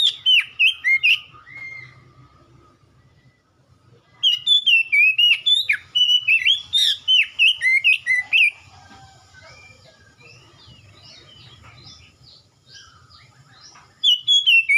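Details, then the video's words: Oriental magpie-robin ombyokan training recording for prompting a caged bird to sing: bursts of rapid whistled notes separated by pauses, with a long stretch of quieter, softer chirping before the loud whistles return. "KACER BAHAN OMBYOKAN LANGSUNG RESPON IKUT GACOR"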